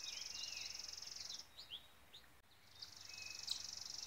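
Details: On a chilly spring morning, with leaves just coming out, a chipping sparrow perched in a tree near a goldfinch sings a dry, rapid, high trill of even notes, repeated after a brief pause, with softer chirps from other birds between.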